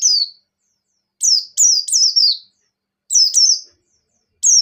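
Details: Ngecir song joined to ngalas from a buxtoni white-eye in breeding condition. High, thin whistles drop sharply in pitch and come in quick bunches of two to three, split by short silences.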